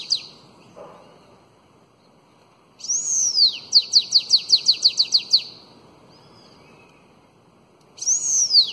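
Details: Bananaquit song of the elongated Belga style for teaching fledgling bananaquits: a high arched whistle opens a quick run of about ten sharp descending chips; silence follows before another arched whistle begins.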